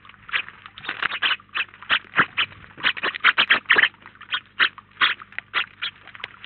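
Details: A feeder flock of house sparrows in Collado Villalba, Spain, about nineteen birds together; clear, evenly spaced chirps of varying loudness, several per second, some doubled in quick pairs.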